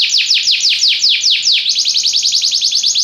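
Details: Belgian canary singing loud downward-sweeping whistles about four per second, then shifting midway to a faster, tighter series of short rising-and-falling notes.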